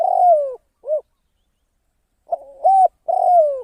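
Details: Trapping decoy spotted dove calling: a long coo that falls away, a brief arched note, a silence, then a stuttered opening and a level coo leading into another long falling note.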